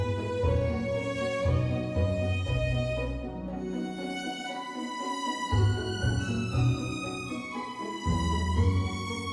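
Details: Orchestral background music with violin and low sustained strings, no animal sounds present.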